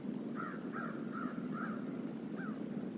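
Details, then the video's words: A flock of crows visits a stream area near the Decorah North eagle nest on November 28, 2021. Five hoarse, slightly downslurred caws come in a loose series about every half second, over a steady rushing background of water. "A murder of crows visits the stream area"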